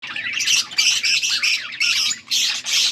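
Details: Budgerigars chirping, recorded August 14, 2024: bursts of high, scratchy warbled chatter, each lasting about half a second, separated by brief quieter gaps, with several overlapping voices.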